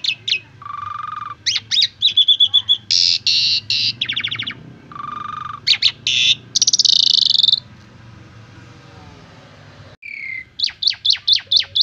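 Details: Asian pied starling song on a recording used to train other starlings. Low whistles, rapid clicking trills and loud harsh rasping bursts alternate. A quiet gap follows, then a short whistle and a string of sharp repeated notes.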